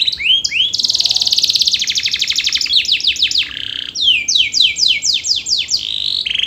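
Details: Energetic canary singing a continuous 'gacor' song as a lure for lazy birds: short rising chirps, a long rolling high trill, then a run of loud, evenly spaced downward sweeps.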